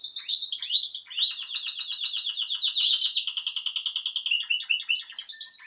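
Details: Young Spanish Timbrado canary from 2023 delivering a continuous song of fast, rattling rolled trills that step between higher and lower pitches, with clicking, water-like rolls throughout.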